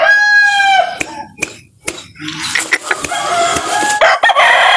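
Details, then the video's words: Cockerel crowing in a yard, a held harmonic note fading out at the start, then sharp clicks and knocks, a short pause, and a rough, noisy burst of calling. "ROOSTER CROWING"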